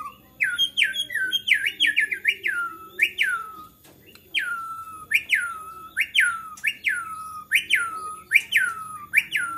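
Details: White-rumped shama in an agitated bout of song that draws other shamas to sing: loud whistled notes dropping steeply in pitch, repeated rhythmically about every half second in a long series.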